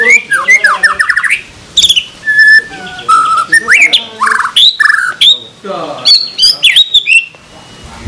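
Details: Murai batu song from a masteran recording with rich 'tembakan' fill: richly varied phrases of lower rising and falling whistles, buzzy notes and brief chatters, changing pitch from one phrase to the next.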